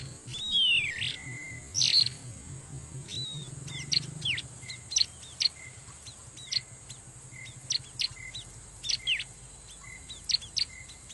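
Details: Bar-winged prinia lure call by a river, used to attract wild birds: a few loud high sweeping notes at the start, then thin sharp chip notes repeated irregularly every second or so, with low rumble early on.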